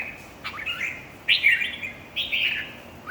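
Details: Red-whiskered bulbul singing at a songbird competition: three short, bright, warbling phrases, each starting with a quick upward flick and then a slurred, chattering run.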